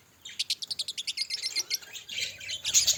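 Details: Group of pet budgerigars giving a quick series of evenly spaced high chirps that speeds into rapid, overlapping warbling chatter.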